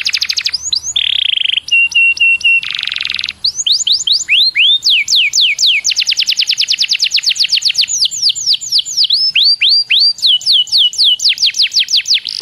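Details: Canary song as a lure for other canaries: high whistled notes, a low buzzy roll and a flat tone, then long runs of quick descending sweeps and fast trills, rich and varied throughout.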